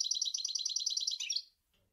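A European goldfinch sings a rapid, liquid twittering run of bright tinkling notes for about a second and a half, ending in a slurred downward flourish.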